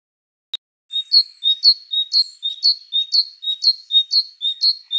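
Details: A great tit, recorded 15 March 2011, sings a bright, high two-note "teacher-teacher" phrase, repeated about twice a second after a single sharp click.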